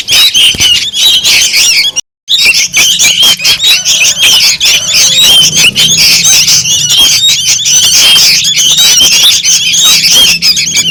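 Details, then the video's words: Noisy calls of sooty-headed bulbul chicks used as a lure sound to attract birds; dense, loud, high scratchy chattering, continuous throughout with a brief silent gap near two seconds. "suara pancingan / pikat anakan burung kutilang ribut"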